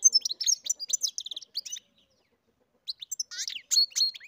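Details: Captive-bred European goldfinch singing, a bright rapid twittering of high chirps and short trills, a burst of notes for nearly two seconds, a pause, then another tinkling run of buzzy and whistled notes.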